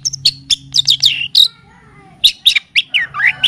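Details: Long-tailed shrike (cendet or pentet) song in a training recording blended with kapas tembak and cililin song. Bursts of high, varied, slurred chirps come in two groups, separated by a quieter pause with faint lower tones.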